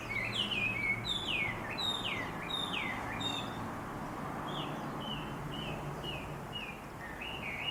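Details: Morning birdsong from a large black locust tree beside a house in town around sunrise, heard through a window: clear downslurred whistled notes repeated about twice a second, with a low steady hum beneath.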